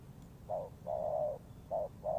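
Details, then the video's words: Spotted dove call for trap luring: brief burst of soft, low coos, a short note, a long sustained coo, then another short note and a long one. "The Sound Of Spotted Dove is good"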